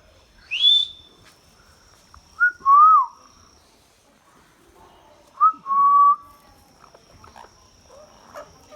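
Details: A rising squawk from a talking Indian ringneck parakeet, followed by two matching whistled phrases, each a short note and then a longer wavering tone, repeated a few seconds apart.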